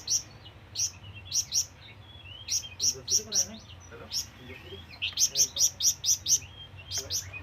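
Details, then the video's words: Scarlet minivet, locally called flamboyan, calling companions or rivals: clusters of high, sharp chirps broken by short pauses, ending in a fast even series. Soft lower twitters and a faint hum sit underneath. "SUARA BURUNG FLAMBOYAN MEMANGGIL TEMAN"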